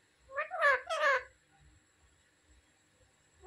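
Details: Pet parrot talking: two harmonic, voice-like syllables in quick succession, the second drawn out, then quiet with faint ticking and another utterance starting at the end.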